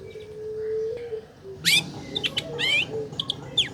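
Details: Lure recording of a caged long-tailed shrike to coax a reluctant bird into song: after a low hum, a harsh descending buzz, then wavering scratchy notes and short sharp calls in quick succession.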